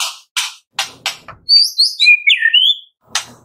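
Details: White-rumped shama morning song for prompting captive birds: harsh rasping bursts at the start and end, with a high sweeping whistled phrase in between.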